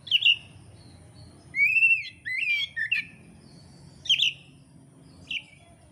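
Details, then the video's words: Oriental magpie-robin from Indonesia, singing actively, in training song material for songbird keepers: bright whistled phrases, including a slurred rising whistle and sharp high notes, separated by short pauses over a low background hum. "kacer gacor materi komplit kicau mania Indonesia"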